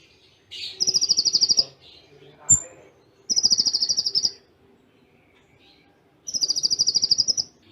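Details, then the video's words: Konin singing a tutor song in Cililin tembaan style: three high, fast, pulsed trills about a second each, spaced two to three seconds apart, with one thin whistle and a click between them. "Masteran Konin Full Tembaan Cililin Jeda Rapat"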